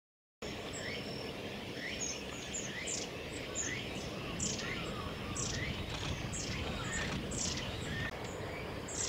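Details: Long-tailed tits at Gongenyama Bird Sanctuary on 8 September 2018: thin, very high calls and short falling notes repeated irregularly against a steady rushing background noise.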